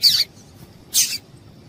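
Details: Calling female double-collared seedeater, meant to stir a male into action: two short, harsh, very high chips about a second apart, with nothing else audible.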